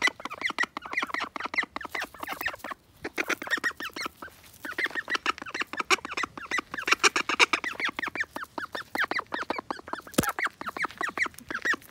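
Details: Call ducks squabbling, as they sometimes quarrel: dense, continuous bursts of loud, rapid nasal quacks overlapping throughout, with a brief lull near three seconds and a short click near ten seconds.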